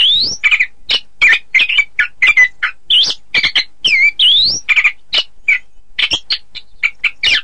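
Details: Orange-headed thrush contest-training song: a continuous, energetic stream of short, varied notes, with rising whistled sweeps, down-slurred whistles and harsher chattering elements repeated in quick succession.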